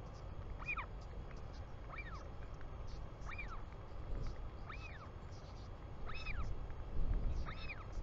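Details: Recorded by a nest camera in New Zealand, 24 July 2020 about 4 pm, a Royal albatross chick calls to its arriving father: six thin arched whistles, roughly one every 1.4 seconds, above constant wind noise.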